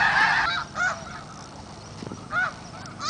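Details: Snow geese at the Richmond Dyke, quieter and more spaced: a few distinct nasal honks with rising then falling inflection stand out at intervals over a softer background murmur of the flock.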